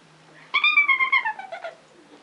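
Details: Green-cheeked amazon parrot giving a drawn-out, nasal harmonic call lasting over a second, slowly falling in pitch and breaking into short pulses at the end.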